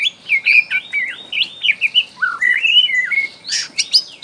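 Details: Young wild white-rumped shama from the forests of Borneo, a spotted juvenile, singing to prompt other shamas to sing: a rapid, varied string of bright whistled notes, slurs and chirps, with the last notes rising and sharper. No other clear sounds.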